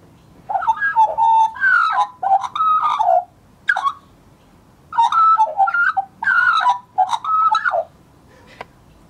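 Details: Scruffy juvenile Australian magpie from 2014 warbling in short rich phrases of mellow whistles and throaty gurgles with crackling clicks, bursts of one to two seconds broken by brief pauses, ending with a single sharp click.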